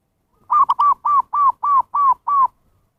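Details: Zebra dove calling, a recording used to bring in wild birds: a rapid run of about eight mellow, arched cooing notes, the opening ones clipped and stuttering, the later ones longer and evenly spaced.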